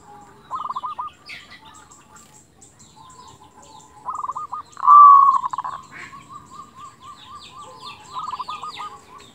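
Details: A local zebra dove sings, recorded as tutor material to rouse quiet doves: short stuttered coo phrases, one louder drawn-out cooing burst midway, and softer trilled cooing near the end.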